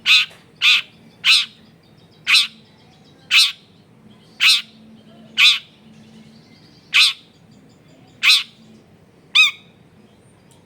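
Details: Long-tailed shrike used as a lure to set other shrikes singing, recorded in a crowded residential area: loud harsh chirped notes repeated about once a second, the last one a rising-falling sweep, over faint low hum.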